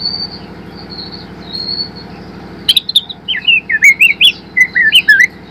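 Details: White-rumped shama, a spotted young bird learning to sing, a lure to get birds singing fully: soft high thin notes, then a rapid string of clicks and bright, warbled whistles that dip and rise, over a constant low mechanical hum.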